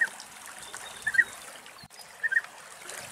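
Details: A European bee-eater (Merops apiaster) in Greek nature gives short, liquid, rolling 'prruip' calls in pairs about a second apart, over a steady background hiss like trickling water.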